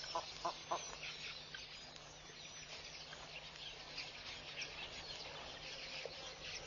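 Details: A large flock of red-billed queleas at Pete's Pond, Mashatu Game Reserve, Botswana, on a June 2014 morning, gives a dense, unbroken wash of high, buzzy chattering, with a few lower, harsher notes near the start.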